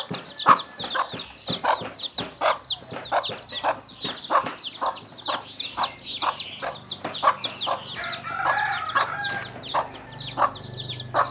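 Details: Mother hen calling chicks to feed, her rapid, regular clucks running through the whole stretch, with constant high chick cheeping overhead and a brief burst of mixed louder sound toward the end.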